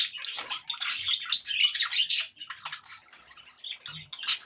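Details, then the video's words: Budgerigars in good spirits warble and chirp rapidly, with clear whistled squeaks in the middle, then quieter scattered chatter and a final sharp note. "happy budgie sounds"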